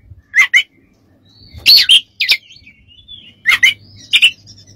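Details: Oriental magpie-robin, recorded as a training and therapy song for other birds: scattered scratchy chirps and buzzy double notes with a faint thin whistle, separated by quiet gaps.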